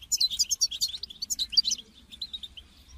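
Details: European goldfinch call meant to motivate a caged goldfinch to sing: a rapid tinkling chatter of bright, liquid twittering notes, densely packed for under two seconds, then softer, sparser chirps trailing off.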